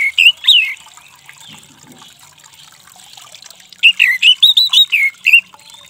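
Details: Orange-headed thrush singing, meant to stir a stressed, silent bird back into song. A short whistled phrase opens, then a fast run of about eight bright, slurred whistles follows. Faint chirps and trickling water sit underneath.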